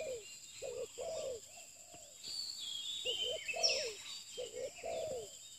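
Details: Low, paired coos of a spotted dove, a new bird kept for pikat luring, coming in short phrases with a pause midway, under scattered high whistles of other birds.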